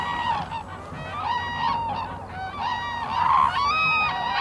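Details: Black-necked cranes foraging in winter in Phobjikha Valley, Bhutan, give overlapping honking, trumpet-like calls with rich harmonics, several rising and falling together in quick succession over faint background noise.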